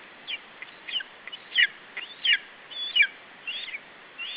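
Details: Lesser spotted eagle chick at its nest in Estonia, 21 July 2012 at 17:12, defending its food against an adult. High, squealing call notes come in irregular bursts, some short and rising, others thin and drawn out.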